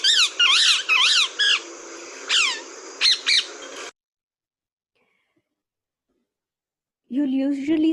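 Rose-ringed Parakeet: harsh, grating screeches in quick bursts, about eight over four seconds, high and shrill. A man's voice begins speaking after a pause.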